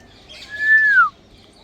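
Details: Grey parrot giving a single loud, pure whistle that holds steady, then glides down in pitch, over soft chatter.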